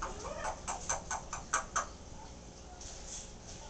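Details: Timneh African grey parrot kept as a pet, chatting indoors: a run of about eight quick, evenly spaced clicks over two seconds, followed by softer faint sounds, with low background hum.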